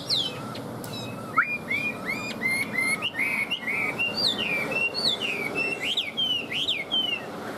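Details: Chinese hwamei kept as a show bird and said to be in full singing form: a sharp high note, then a run of short whistled slurs that climb gradually in pitch and repeat rapidly, with faint clicks between.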